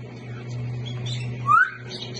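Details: An African grey parrot, one of a pair, gives a single short, clear whistle that slides upward, over a steady low indoor hum.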